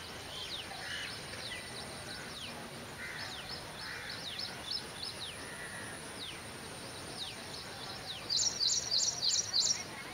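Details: Drongo (black drongo, karichan, double-tailed) recorded at midday, in flight: quick, high downslurred whistles repeated several times a second, then a burst of harsh chattering notes near the end, over steady background hiss.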